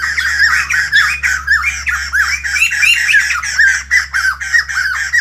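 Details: White-crested laughingthrush (bồ chao) greeting the morning with a loud, unbroken stream of harsh, laughing, rhythmic chatter, its notes rising and falling rapidly, over a low background hum.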